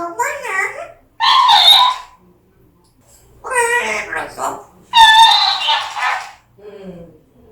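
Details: Pet African grey parrot, described as very angry, talking in harsh, speech-like phrases: four loud bursts of about one second each separated by short pauses, ending in a quieter murmur.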